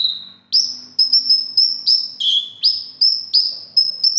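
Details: Kept konin delivering its competition song of borrowed material: a long level whistle, then a steady series of sharp rising chips and short whistled notes about every half second.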